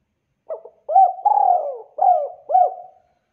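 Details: Spotted dove cooing to draw replies from other spotted doves: a low, mellow phrase with a brief first note, rounded coos, one long purring note, then two final arched coos.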